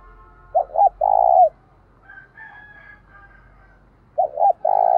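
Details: Spotted dove decoy calling to goad others into a fight, two phrases of double hoot plus long low coo, separated by a pause filled with a faint, thin, higher whistle from another bird.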